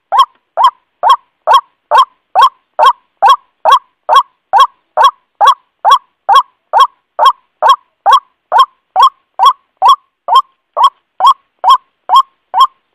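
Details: Male white-breasted waterhen calling to the female: a loud, harsh, nasal note repeated very steadily about twice a second for the whole stretch, each note evenly spaced, with no other sounds.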